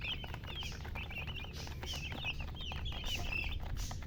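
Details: Chicken, a hen, giving quick bursts of high, squeaky chirps in short runs separated by brief pauses, against a constant low-pitched background hum.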